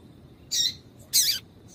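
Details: Female double-collared seedeater calls used to stir a male into singing: two short high chirps about half a second apart, the second slightly longer with a falling tail, over quiet background.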